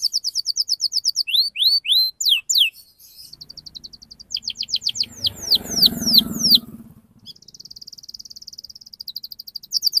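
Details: Singing canary, played to coax young birds into song: runs of quick high trills and downslurred whistles, broken midway by a burst of low rustling noise, then a soft rapid trill resumes.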